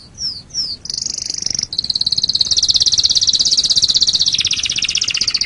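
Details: Canary tutor song for training other birds: two quick downslurred whistles, then long, fast, buzzy rolling trills held high and steady for several seconds.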